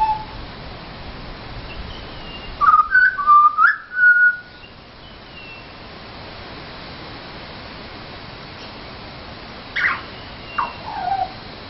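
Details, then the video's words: Pied butcherbird visiting a garden, singing for food, gives a burst of clear fluted whistles that rise and fall, then after a pause a shorter phrase of descending notes; soft background hiss. "Pied Butcherbirds singing for food"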